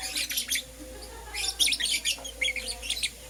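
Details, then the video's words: Morning chirping from lovebirds of Euwing Green Opaline and Lutino colouring, sharp high tweets in short uneven bursts over a faint low background hum. "Lovebird Chirping Sounds"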